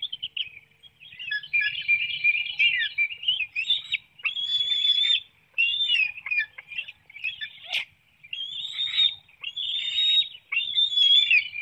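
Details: Webcam nest of bald eagles in Hanover, Pennsylvania, 9 June 2019 at 7:04 a.m. An adult is feeding a small fish to one young while another hops and flaps. High, thin, wavering squeals come in bursts with brief pauses, and one sharp click is heard.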